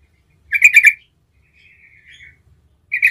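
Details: Yellow-vented Bulbul, locally trucukan, singing gacor ngerol as a lure for other trucukan; a bubbling three-note chattering phrase, soft warbling notes, then the start of another loud phrase.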